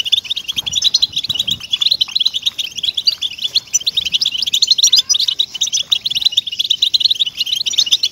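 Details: Captive-bird motivation recording of European goldfinch song, meant to get goldfinches singing: a dense, rapid stream of tinkling chirps and buzzy twitters running on unbroken, with a few quiet lower notes beneath.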